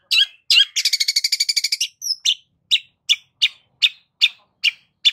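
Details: Long-tailed shrike lure song: two harsh scratchy notes, then a fast buzzy rattle of a dozen pulses, a thin whistle, and a string of sharp clipped chips spaced roughly every third of a second.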